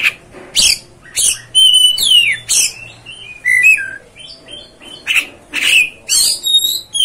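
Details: Oriental magpie-robin in full song, rapid alternation of grating bursts and sweet descending whistles, about two notes per second over several seconds with faint low hum behind.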